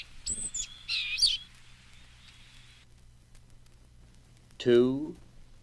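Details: A Blue-gray Gnatcatcher song: a brief burst of thin, high, wheezy notes for about a second, then quiet; a man's voice announces briefly at the end.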